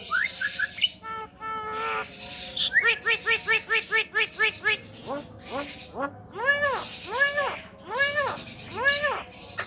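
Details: Talking Javan myna, recorded to stir up other mynas: brief whistles, then a rapid run of buzzy harmonic notes, followed by slower, voice-like arched syllables roughly every second.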